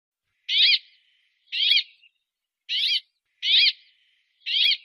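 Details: Brambling song: harsh, nasal, buzzing wheezes, each about a third of a second long, repeated roughly once a second with brief silent gaps.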